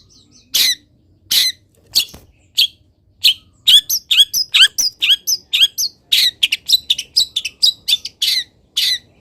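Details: Caged long-tailed shrike singing energetically in morning sun after being misted, a full varied song of rapid sharp chirps and scratchy notes, many rising or falling, delivered in dense runs with short pauses.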